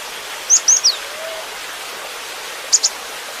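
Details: Cinereous tit, gelatik batu, singing a full 'isian' song: a quick run of three high, thin downslurred whistles, then a short pause and a sharp double note, all over a steady hiss of background noise.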